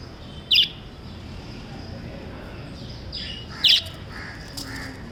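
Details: Lovebirds giving two short, sharp, high chirps about three seconds apart over a steady low background hiss, with quiet gaps between calls.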